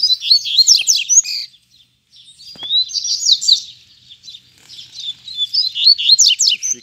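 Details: Double-collared seedeaters, two free-flying wild birds and one caged male, singing to challenge each other to fight, with a wild bird right beside the recordist. Fast, high, sweeping twittered phrases in bursts, with a brief pause after about 1.5 seconds.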